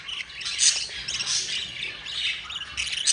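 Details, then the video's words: Budgerigar chicks being fed by their yellow mother give a brief flurry of harsh, high squawking begging notes, several overlapping at once. "Jasperine the yellow mother budgie feeding her four babies"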